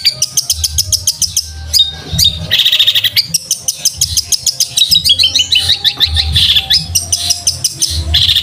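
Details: Training song of a long-tailed shrike for cage birds, with fighting-sparrow imitations: fast, sharp high chirps repeated in quick runs, with rising and falling trills and a low droning hum behind.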